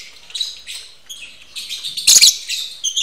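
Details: Captive-bred lovebirds mating, giving continuous high, squeaky chattering and twittering notes, with a sudden louder harsh burst midway and a brief rustle.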